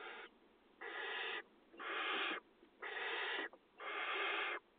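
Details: Barn owl chicks in a nest box among agricultural fields, Israel, 2020 nesting season, being fed; harsh hissing wheezes about half a second long, repeated roughly once per second.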